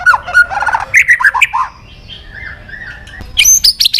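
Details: Agitated white-rumped shama song meant to provoke other shamas into singing: bursts of squeaky, scratchy chirps and short whistles, a quieter pause with soft warbling, then shrill high piercing notes at the end.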